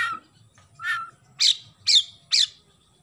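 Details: Oriental magpie-robin giving sparrow-imitation song: a series of five harsh, raspy chirps spaced about half a second apart, with a faint low hum behind.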